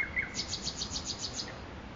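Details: Nightingale singing in Makoui park: a fast run of about eight bright, high chirped notes, evenly spaced, preceded by a couple of lower slurred whistles, over a soft background hiss.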